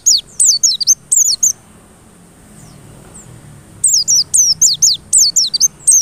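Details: Provoking song of a white-eye: bursts of shrill, high, slurred notes, a gap of about two seconds, then a longer lively twittering phrase of repeated falling notes.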